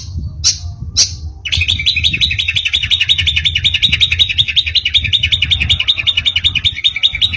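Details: A young long-tailed shrike, learning song material, runs a fast chattering, high twittering phrase, about three notes a second, after two brief bright opening notes; low background rumble throughout.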